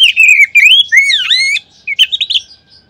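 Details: Oriental magpie-robin singing in a lure recording used to stimulate other magpie-robins. Loud flowing whistles with a swooping dip lead into a quick series of short, sharp notes, then quiet.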